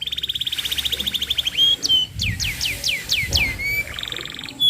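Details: Lure song of a vigorous canary for training young birds: a fast pulsed trill, a short whistle, a series of slurred downward whistles, then another buzzy trill.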